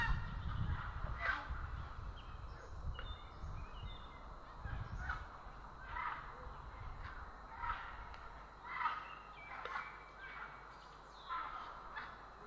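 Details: Grey heron in Estonia on 3 April 2017 giving harsh, croaking calls in short bursts, repeated about every one to two seconds, over a steady low rumble of wind.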